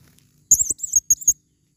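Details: Short burst of shrill, wavering, high-pitched squeaks from a female blue-crowned hanging parrot used as a lure in the forest, in two quick clusters.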